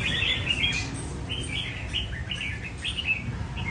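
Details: Red-whiskered bulbul, a tamed cafe bird in training, delivering 'chạy cầu' phrases at an easy rhythm: short clear whistled notes and slurred warbles, one after another, over a low background rumble.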